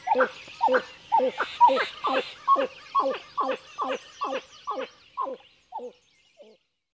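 Pied-billed Grebe giving a hollow, gulping run of about fourteen 'cow' notes, steady at first, then slowing and fading away at the end.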